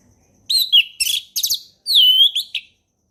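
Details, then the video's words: Ngeplong-style song of an orange-headed thrush, meant as a tutor for young birds: a rapid string of loud, buzzy, chattering whistled notes, then a long smooth whistle dipping slightly before a final short phrase. "SUARA HUTAN ANIS MERAH NGEPLONG SANTAI"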